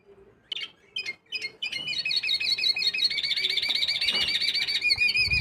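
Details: Canary hybrid (mixto) being readied for singing competitions: a few sharp opening chirps lead into a long continuous rolling trill of rapid, wavering high notes that carries to the end.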